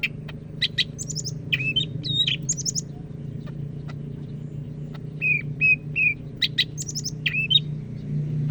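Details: Greater green leafbird, Medan strain from North Sumatra, in full "gacor" song: bright whistled phrases, short sliding notes repeated in small groups and sharp high ticks, with pauses between bursts over a low background hum.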